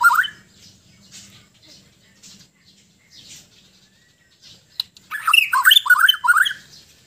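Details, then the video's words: White-rumped shama from Sabah, Borneo, kept as a songbird, singing in a relaxed manner: after scattered soft notes a loud burst of rich warbled phrases and slurred whistles comes in the final two seconds, with faint low hum beneath. "Kicauan murai batu Sabah : Suara dan aksi santai"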